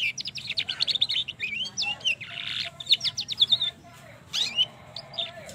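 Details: Juvenile trotol canary delivering a long rolling lure song meant to set other canaries singing: fast chattering trills, bright whistled slurs and dense buzzy rolls, with short pauses between bursts.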